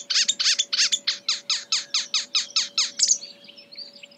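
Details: Marsh warbler (Acrocephalus palustris) singing and imitating other birds: a rapid run of about twelve harsh, downslurred notes, roughly four per second, fading into softer, thin twittering, over a faint steady low hum.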